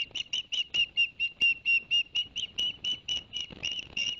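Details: Live nest camera at Barnegat Light, New Jersey, 11 September 2021: an osprey repeats bright, piercing whistled chirps about three per second, steady and insistent, after the male delivered two fish to the young.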